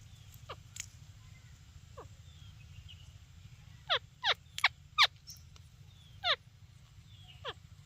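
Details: Parrot chirping: sharp, harmonic, downward-sweeping chirps, a few scattered early, then a quick run of four or five around the middle and two more near the end, over a steady low hum.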